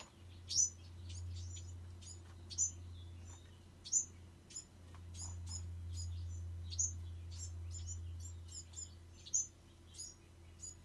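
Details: A lively run of piercing, high tweets from Bewick's wren fledglings, several per second with louder accented notes every couple of seconds, over a low humming background.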